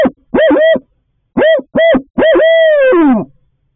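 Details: Nesting barred owl in a box with two eggs in March, at night as the male delivers food, calling back and forth; clipped arched hoots in quick groups, then a sustained quavering hoot that slides downward.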